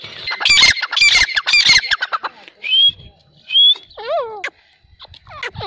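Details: Grey francolin giving loud, harsh, rapidly repeated grating phrases, followed by two short rising whistles, a drawn-out descending wavering note, and a few scattered softer calls at the end.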